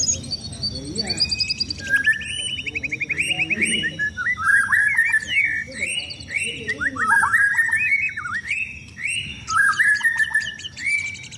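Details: Caged white-rumped shama out in the sun before competition, singing a long varied stream of buzzy trills, rich slurred whistles and sharp high accents, phrases linked with brief gaps throughout.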